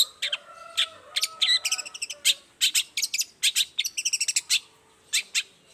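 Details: Morning song of a long-tailed shrike, sung vigorously so that silent shrikes answer. Sharp, crisp notes fall in uneven rapid clusters, with faint steady whistled tones in the background.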